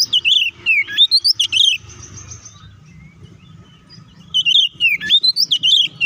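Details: White-rumped shama in fighting song meant to provoke rivals; rapid bursts of whistled, looping and chattering notes, a quiet gap with low rumble, then another fast run of sweeping whistles.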